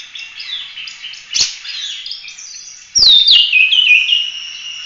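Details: Oriental magpie-robin in lively 'full roll tembak' song for training other birds: soft mixed warbling, a brief sharp click, then a loud descending whistle followed by bright slurred phrases.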